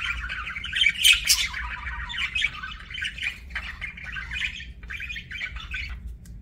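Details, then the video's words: Budgerigar chirping: loud squawky warble at first, easing into softer rambling chatter of buzzy twitters and squeaks. "BUDGIE CHIRPING SOUNDS"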